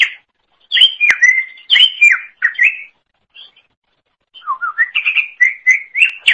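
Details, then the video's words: Greater green leafbird (cucak ijo) singing for songbird training: loud, slurred whistles with sharp accents, a quiet pause, then a climbing series of clear whistled notes repeated in quick succession. "Kicauan Super Cucak Ijo Gacor Untuk Masteran"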